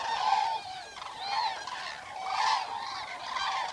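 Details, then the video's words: Eurasian cranes in the wild, several birds trumpeting: loud, rolling, honking calls about once a second, overlapping in bursts, recorded over a night outdoors. "Eurasian Cranes Sound Library"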